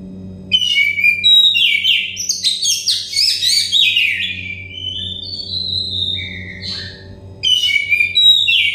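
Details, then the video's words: Oriental magpie-robin singing, used to coax stressed or untrained birds into song: after a quiet start, a long rich sequence of clear whistles, rapid slurred notes and rising trills, then a pause and another loud phrase, over a steady low hum. "terepi kacer bahan kacer setres kacer daon cepat gacor ngeplong"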